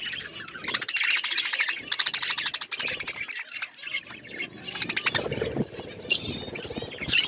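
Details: Eating budgies give loud clusters of raspy, buzzy chirps. These break into quieter stretches of thin, high whistled squeaks and scattered chatter.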